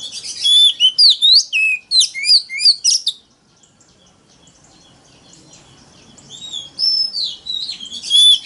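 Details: Oriental magpie-robin in loud competitive song meant to lure rivals, opening with three seconds of quick varied whistles and sweeping slurred notes, then near silence before a softer stretch of whistled phrases returns.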